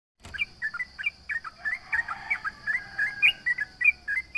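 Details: Sooty-headed bulbul singing to provoke rivals: quick bubbly series of short chirped notes, rising and falling, repeated several times a second, with a steady high hum in the background.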